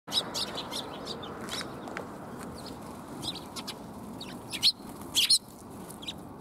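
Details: Several sparrows coming to be fed, recorded 20 March 2021: a few short, high chirps scattered through a steady hiss, with two louder chirps near the end.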